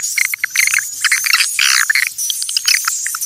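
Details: Swiftlets recorded naturally, calling in a form used to attract swiftlets: dense, high chittering and twittering in short bursts, with thin whistled streaks over a steady high hiss.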